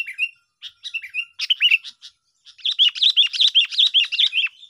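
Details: Sooty-headed bulbul used as a trapping lure, calling briskly: a few whistled slurs, a pause, then a fast, even series of bright chirps with dipping inflections, roughly two or three per second.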